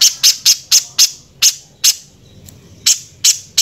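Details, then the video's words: Spiderhunter with a harsh voice, recorded for tutoring other birds: loud, sharp, high chips, first in quick succession, then spaced out with a brief gap before resuming. "BURUNG PIJANTUNG GACOR SUARA KASAR FULL TEMBAKAN"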